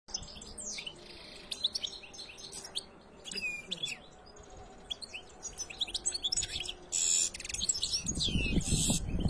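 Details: Canary singing in bursts of high, quick twittering notes and thin whistled slurs, with short pauses between phrases; a low rumbling noise rises near the end.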